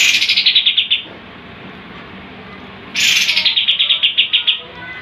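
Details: Sooty-headed bulbul, kept as a champion singing tutor, delivering its rapid-fire tembakan song: two bursts of about a dozen quick sharp pulsed notes, each starting high and sliding lower, separated by a two-second pause.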